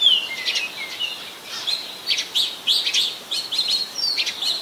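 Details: In Ubon Ratchathani, Thailand, on 24 December 2020, an Oriental magpie-robin sings: falling whistled slurs at the start, then a string of bright, rapid chirping notes and short warbled phrases.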